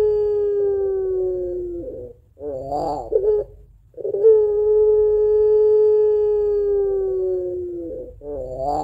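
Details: Home-kept puter pelung dove, used to lure other doves, repeats its long crying song twice: a level hooting tone held about two seconds and later four, each followed by a tremulous, warbling second note.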